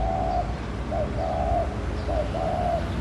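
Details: Close laughing dove cooing in courtship: a run of soft, level, hollow notes in short-long pairs, evenly paced about once every second, with faint low hum behind.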